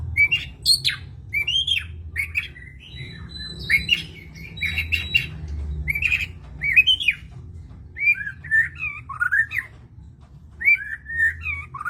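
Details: Long run of White-rumped shama singing: varied chirps, squeaky slurs and scratchy notes in short separated phrases, steady over twelve seconds with a faint low hum behind.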